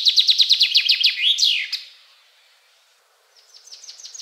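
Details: Common Chaffinch male song: quick, energetic repeated notes falling in pitch, then a rising-falling loud flourish at the end; a quieter phrase starts faintly after a short gap.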